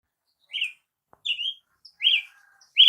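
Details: Brazilian tanager singing: four short, bright, slurred notes rising then falling, spaced irregularly about half a second apart, with a faint click between them and otherwise quiet surroundings.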